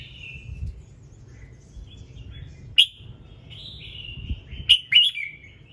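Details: Red-whiskered bulbul morning song, used to get other birds singing: thin whistles and a sharp single note, then a rising whistle leading into a quick cluster of bright chirps, with low background rumble.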